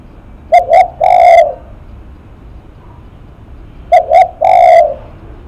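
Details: Spotted dove, described as a face-shaking cooer, giving a loud close coo phrase twice: two short clipped notes followed by one longer, slightly falling hoarse coo, about 3.5 seconds apart, with quiet background.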